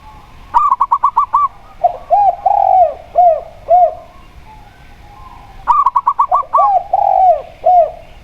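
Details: Local zebra dove singing alongside a spotted dove giving steady double-note calls: rapid staccato bursts of about seven clipped notes, followed by lower, arching, rolling coos. The pattern repeats twice in the span.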